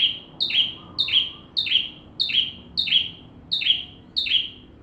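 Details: Bar-winged prinia giving full song to train magpie-robins: a steady series of eight sharp high notes, each a quick tick falling into a slurred whistle, spaced about every half second.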